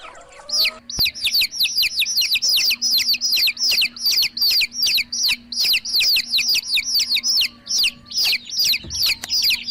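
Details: Baby chicks chirping in a steady run of loud, high, downslurred peeps, roughly two or three each second, with brief pauses between bursts and a faint low steady hum underneath.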